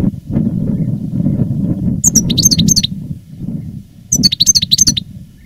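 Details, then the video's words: Caged veteran master goldfinch singing in reclamo style, recorded live in 2017: two short bursts of rapid, high tinkling twitters, set against steady low-pitched rumbling background noise. "Canto del jilguero"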